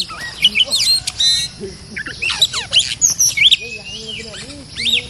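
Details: Fierce territory-holding oriental magpie-robin being lured with a decoy cage: bursts of varied whistled and scratchy notes, sharply rising and falling, in quick succession, with a man talking quietly underneath.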